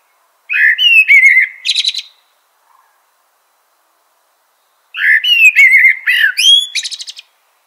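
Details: Eurasian blackbird delivering two loud, melodious phrases about four seconds apart, each a series of low fluted warbles ending in a dry, rapid, high-pitched rattle.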